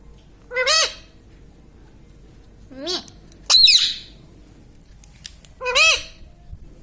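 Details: Parrot at home speaking "mummy papa", four short squawky rising-falling utterances spaced one to two seconds apart, one noisier and harsher than the rest, with a quiet room between them.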